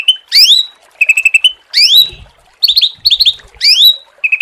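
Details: Branch-throated magpie (cucak ranting) song: loud, clear calls with rising whistled sweeps alternating with quick bursts of sharp repeated chips, several phrases in under five seconds.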